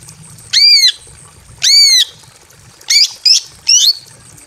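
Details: Aviary-kept female greater green leafbird in breeding condition calling for a male: two long, harsh, ringing squawks, then three quick short strident notes, over a faint low hum.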